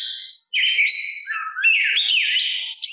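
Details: Oriental magpie-robin singing to draw answers from other magpie-robins: a brief harsh note, a short silence, then a sustained run of bright whistles and slurred, buzzy phrases.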